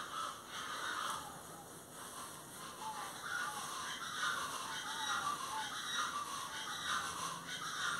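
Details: Plain chachalacas (Ortalis vetula) give harsh, raspy, crow-like calls, repeated roughly once a second in an overlapping chorus, over a steady background hiss.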